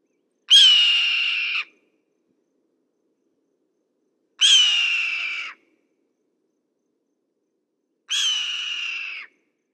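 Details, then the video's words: Red-tailed hawk giving three hoarse, raspy screams, each about a second long, starting high and sliding slightly downward, spaced roughly every four seconds against a silent background. "Red-tailed Hawk Calls and Sounds"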